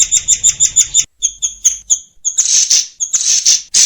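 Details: Training-master song of a white-crowned shama: a fast run of piercing high notes, then slower spaced chips, ending in rough buzzy bursts.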